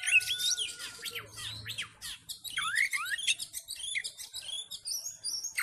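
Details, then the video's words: Oriental magpie-robin singing aggressively in fighting mode to provoke rival males: a long steady whistled tone at the start, then fast chains of swooping slurred notes and crisp high chirps, with a faint low hum beneath. "KACER FULL TARUNG DAN NGOTOT MEMICU KACER LAIN CEPAT FIGHTER"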